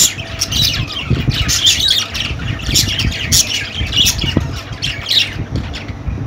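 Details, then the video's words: A group of budgies keeps up busy squawking and rapid twittering throughout, the high raspy notes overlapping with no pauses, over a low background rumble. "Budgie Sounds for Lonely Budgies"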